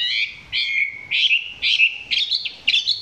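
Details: Close recording of a kept Chinese hwamei whose song is still short of full power: six rich, slightly harsh phrases of layered whistles, each about a third of a second, falling then rising, delivered in quick succession.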